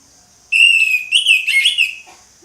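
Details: Orange-headed thrush singing ngeplong: one sustained phrase of bright, steady whistling that breaks into a busier, buzzy trill of mixed notes before fading, about one and a half seconds long.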